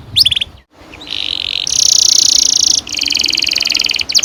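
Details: Canary song used as a training lure for young canaries, with bright high trills and buzzy rolled phrases above 2k, broken by a short silent gap, then long rapid rolling trills.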